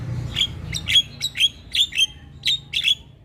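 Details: Javan myna in full song on a tutor recording meant to set other birds calling: harsh, buzzy chirps near the upper-middle range, given singly and in quick pairs about once a second, with a faint low hum beneath.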